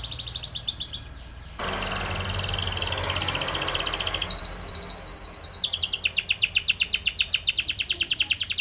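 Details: Timbrado canary training song with rapid pulsed trills, broken by a short gap and a burst of noisy hiss, then resuming as bright rolling metallic trills that shift pitch in steps.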